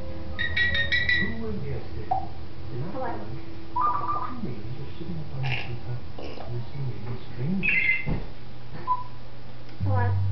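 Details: Female African grey parrot kept as a pet, recorded in December 2007, talking and mimicking human speech, burps, sneezes and ringing phones: a chatter of speech-like phrases mixed with short whistled tones and clicks in a small room with low background hum.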